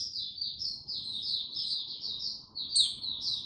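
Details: A white-eye sings a continuous, high, rambling warble of quick chirps and twitters with a brief sharper burst near the end, recorded 6 March 2022 as it gains confidence and opens up slowly and steadily.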